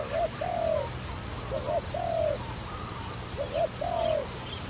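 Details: Dove recorded during trapping, giving three paired coos: a short clipped note followed by a longer, slightly falling drawn-out note, each pair about 1.7 seconds apart, over a faint steady hum.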